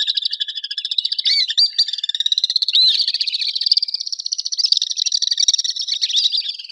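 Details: Common swift, an urban bird, screaming: dense, shrill, high-pitched screeches in rapid, continuous rasping series, overlapping as if several birds call together, with no other clear sounds.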